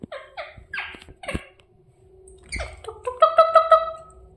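A pet rose-ringed parakeet gives harsh, squeaky chirps in short bursts, ending with a quick run of four bright, even notes; a low indoor hum underneath.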